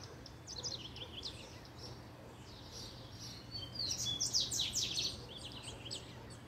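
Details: Excited by a female, a double-collared seedeater delivers short runs of quick, high downslurred notes, building into a denser, louder twittering phrase near the end; faint hum behind.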